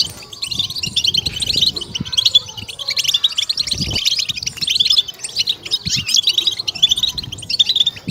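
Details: Goldfinch batbata twittering meant to excite and stimulate captive goldfinches: busy high chatter of quick tinkling notes in overlapping bursts, a soft low hum beneath and a low thud around the fourth second.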